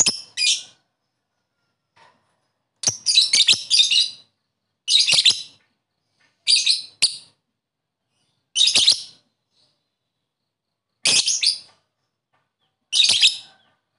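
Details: Lovebird voice played as therapy for lazy, quiet lovebirds: bursts of shrill, scratchy chirping every one to two seconds, some in quick doubled groups, with silence between.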